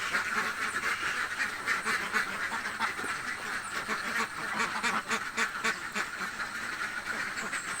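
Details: Hungry laying ducks in a village call nonstop, rapid raspy quacks overlapping in a thick chorus, nearly four per second, with a few sharp clicks.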